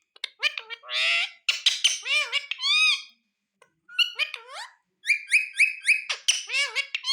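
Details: Ringneck parrot talking in rapid, nasal, speech-like syllables with swooping pitch contours and a quick run of repeated even notes, pausing once briefly mid-phrase.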